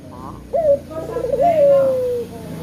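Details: A single lure call from a male collared dove used to draw other birds into calling: a brief rising note, a wavering rolled middle, then a long, clear, steadily falling coo, with a low hum behind.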